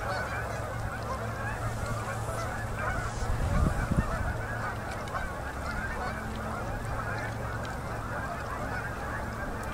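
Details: Endless flocks of migrating Canada geese landing on a Manitoba river at sunset in October 2018: steady massed honking from countless birds, with a low rumble underneath and a brief louder thump near four seconds.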